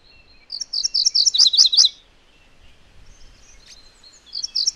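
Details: MacGillivray's warbler singing one fast, bright phrase of paired chirping notes, starting high and dropping to a lower run of buzzy chips near the end, then a pause before a second phrase begins to break in.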